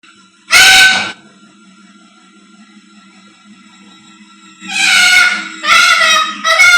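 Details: A pet Amazon parrot screams so loudly the household cat runs off: loud, harsh, raspy screams, one burst, a pause of several seconds, then three in quick succession, over a low indoor hum.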